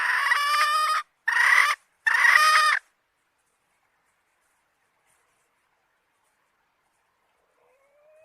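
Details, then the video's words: Three loud, rough harmonic bursts from a hen, each under a second, followed by long silence and a faint rising tone at the very end. "Suab Poj qaib seev zoo heev"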